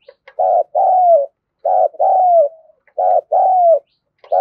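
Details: Spotted dove cooing to rouse other birds, deep hollow coos in repeated pairs, a short note then a longer one with a falling tail, the pattern recurring about every one and a half seconds.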